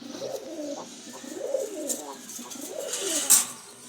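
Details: Jalali pigeon with deep red eyes, a running pigeon kept indoors, giving soft low cooing phrases that rise and fall in repeated waves, with a brief sharp noise near the end.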